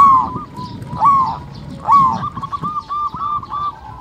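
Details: Local zebra dove cooing as a lure for other doves: three rising-falling coo notes about a second apart, then a rapid stuttering trill of short notes, over light background noise.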